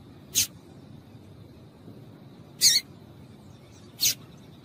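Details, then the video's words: Calling female double-collared seedeater, a call meant to get males singing: three separate brief, high, raspy chirps, roughly one to two seconds apart, against quiet background hiss. "Piado de Fêmea de Papa capim para Esquentar Papa capim"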